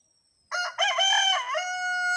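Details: Desi village rooster crowing: after half a second of silence, a loud, rich, harmonic call starts with a short note, breaks briefly, then rolls through a wavering middle into a long, steady, held ending that lasts to the end.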